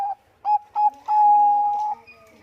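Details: Bangkok-type zebra dove (perkutut) in full song, used as a lure to get other birds singing. Two short, clear cooing notes are followed by a long, steady, drawn-out whistled coo at an even pitch.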